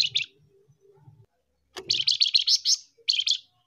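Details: Flamboyan bird with male and female 'tembakan' calls, used to attract wild birds: a couple of quick buzzy notes, faint low sounds, then a rapid burst of harsh chattering notes followed by a short second burst.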